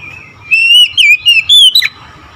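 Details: Oriental magpie-robin in the morning giving a single sustained phrase of sweet, ringing whistles, smoothly wavering in pitch and ending with a sharp downward note.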